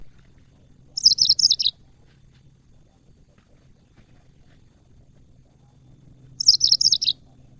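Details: Yellow-fronted canary song, used as training audio for cage birds: two short bright phrases of quick, high chirps, each dropping slightly in pitch and lasting under a second, heard about five seconds apart over a faint low hum.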